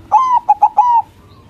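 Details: White zebra dove of local stock singing loudly to trigger replies from rival doves: a long coo, two short notes and another drawn-out coo fading away.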